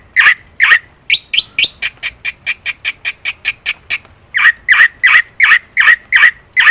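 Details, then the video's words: Black-winged myna in loud song, played as a lure for other birds: harsh squawks, a quick run of short clipped notes, then more squawks. "suara top jalak putih gacor - sekali putar bikin bunyi semua burung - masteran - pancingan"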